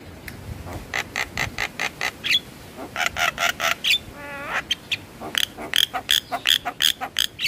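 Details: Javan myna song, played morning and evening as therapy to get stressed, quiet birds singing: rapid series of sharp clicking notes, a short rattling trill, then repeated high whistled pips.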